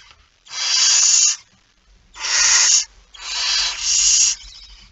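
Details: Barn owl with a mouse, recorded at 01:49 on 17 September 2019, giving three rough hissing screeches about a second long, the last one doubled, separated by short pauses.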